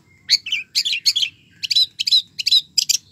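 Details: Long-tailed shrike singing energetically, giving sharp, high chattering notes in quick clusters with brief pauses between them, each note scratchy and bright, over a quiet background.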